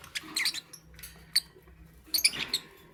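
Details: High, squeaky chirps from a lovebird in the morning, arriving in two clusters of rapid scratchy notes with a single sharp squeak between them.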